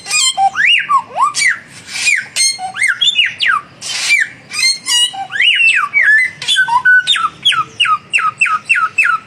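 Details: A duel between young and mature samyong birds in full voice: varied swooping whistles and buzzy bursts, ending in a rapid regular series of short falling whistled notes, about three per second.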